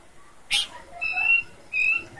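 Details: Bush babbler with its characteristic voice: a brief sharp chip, then two clear, level whistled notes, each about half a second long.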